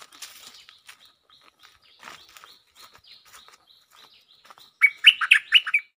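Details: Stripe-throated bulbul lure song. Faint, scattered high chirps at first, then a loud, bubbly phrase of four or five quick, warbled notes near the end.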